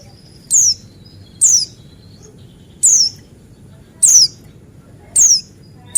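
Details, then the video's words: Buxtoni white-eye, the yellow-breasted form, as a lure to prompt singing: clear, high descending whistles spaced evenly about once a second, with faint low background noise. "Dengar Suara Pleci Buxtoni ini"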